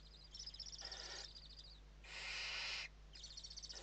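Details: Inside a Western barn owl nest in Spain during evening feeding, 29 November 2023: rapid ticking chitter notes around harsh hissing screeches, one loud sustained hiss in the middle, steady electrical hum underneath.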